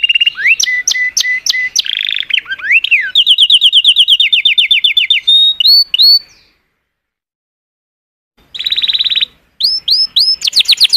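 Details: Canary in song: quick chirps, then a long run of rapid high trilled notes and hooked whistles, a two-second pause, and another burst of dense trills and sweeps.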